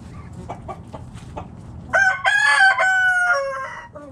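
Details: Backyard chickens foraging in the morning: a few short, soft clucks, then a loud, harmonically rich drawn-out call lasting almost two seconds, breaking into several segments before fading.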